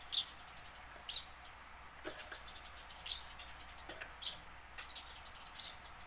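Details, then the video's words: Tame house sparrow learning to sing, meant to stir newly caught sparrows into fast, frequent singing; a steady series of short, bright chirps roughly once per second, with soft clicks in the background. "burung gereja jinak belajar bunyi"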